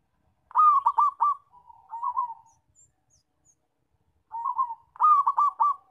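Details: Loud zebra dove call for luring and trapping: a rapid rolling phrase of three or four coos, a softer trailing coo, then the same pattern repeated after a pause.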